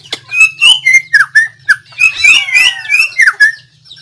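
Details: Loud, varied song of a white-rumped shama, recorded 17 April 2024. Fluting whistles slur up and down in quick succession, some overlapping in rich phrases, over a faint low hum.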